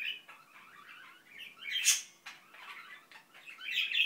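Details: Indian ringneck parakeet mumbling in captivity: soft, scratchy chatter swelling into a loud harsh burst, then continuing in jumbled, rising and falling muttered phrases.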